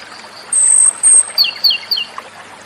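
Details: Komadori, the Japanese robin, sings two clear sustained high whistles, then three short dropping ringing phrases in quick succession; light hiss in the background.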